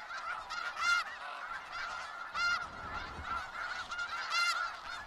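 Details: Snow goose flock in Skagit Valley, a murmuring chorus of distant honks punctuated by three louder, nasal barking calls from nearer birds, roughly every one and a half to two seconds.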